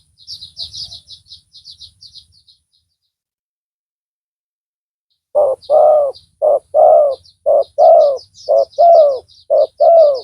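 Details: Spotted dove used as a decoy with a strong voice for luring rivals; high twittering of small birds first, then after silence a steady series of paired low coos, short note and longer arched note.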